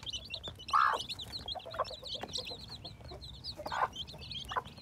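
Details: Hatching chicks, spring 2021: steady high-pitched cheeping from many birds, with a louder lower cluck just before one second and more clucks toward the end.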